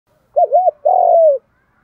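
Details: Spotted dove cooing in the 'đồng thổ' voice style, used to provoke fighting and lure wild doves in: two quick looping notes, then one long, even coo that slides downward. Quiet background.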